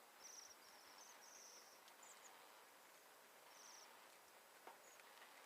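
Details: Bohemian Waxwing flock of about a hundred birds feeding on mountain ash berries in a yard in Alberta in winter, migrating from the Arctic: faint, thin, high trilled calls in short bursts over steady background hiss.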